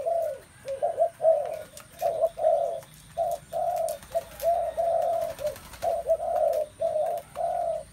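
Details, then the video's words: Spotted doves filling the air with cooing, short low rounded phrases bunched in irregular groups with brief gaps, backed by a faint constant high-pitched whine. "tiếng chim cu gáy"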